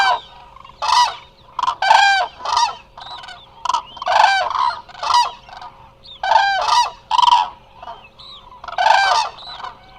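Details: At Hula Nature Reserve in Israel, a large resting flock of Eurasian cranes gives a steady stream of loud, rolling trumpet calls, several birds overlapping, bursts coming about every second under a live wildlife camera.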